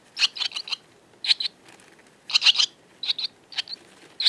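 Barn Swallows give high, scratchy twittering notes in short chattering bursts about every half second to a second, with a quiet background.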